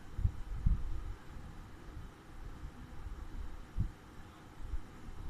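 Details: Low thumps and handling rumble over quiet background hiss, with no animal voice.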